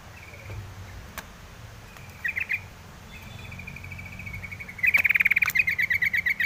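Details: Yellow-vented bulbul: soft scattered notes, then a loud, rapid run of sharp, even chips, about four per second, near the end, over low background rumble.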